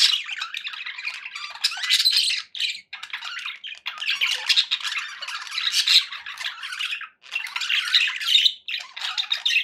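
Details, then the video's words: Contented pet budgerigars keep up lively warbling chatter, scratchy squawks mixed with high chirps, broken by a few short silences. "happy budgie sounds"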